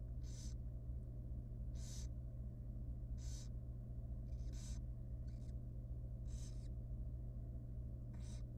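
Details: A tiny, young wild barn owl nestling at feeding time in a research nest box gives loud, rasping, breathy hisses, each about a third of a second long and spaced roughly a second apart. A constant low hum sits beneath.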